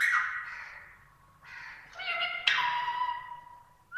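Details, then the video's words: A female rose-ringed (ring-necked) parakeet talks, making a string of rich, harmonic, voice-like sounds that slide down in pitch and end in a sharp squeak, with no other sounds heard. "Parrot making beautiful voices"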